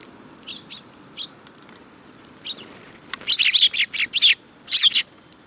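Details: Group of sparrows: a few soft scattered chirps at first, then a loud run of rapid harsh chirps clustered near the end, with wingbeats audible among the calls.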